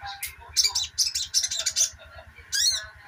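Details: Sogok ontong twittering busily, a recording meant as therapy for birds that no longer sing; a quick run of high, sharp chirp notes, a pause, then one more burst, over a low mechanical pulse.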